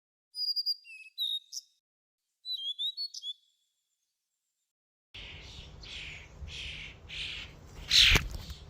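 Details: Common starlings invading a feeding station: a few short, clear whistled notes at intervals, then after a pause a dense burst of harsh chattering comes in pulses, ending in a loud sharp crack.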